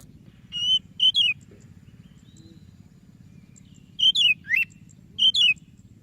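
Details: Oriental magpie-robin song meant to prompt a quiet bird into singing: sparse clear whistles and short sliding, falling notes in small clusters, over a steady low hum.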